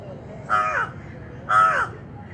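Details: A gallinule bringing nesting material gives two harsh, nasal, caw-like notes about a second apart, each slightly falling, over a low background rumble.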